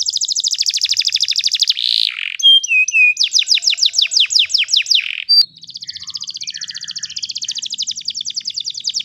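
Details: Long canary roll used for teaching young canaries: a fast buzzy trill, flat whistles, a series of falling sweeps, then a softer continuous high trill.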